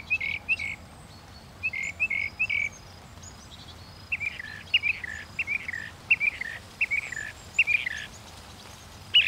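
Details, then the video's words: Northern mockingbird giving clusters of short chirped notes, two to four at a time, in uneven bursts over about nine seconds against a faint hissing background. "The song of the Northern Mockingbird"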